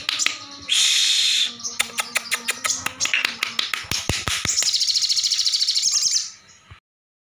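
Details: Sogok ontong sunbird singing in 'gacor ngekleper' style: a buzzy high trill, then a run of sharp clicking ticks speeding up, ending in a long fast rattling high-pitched trill.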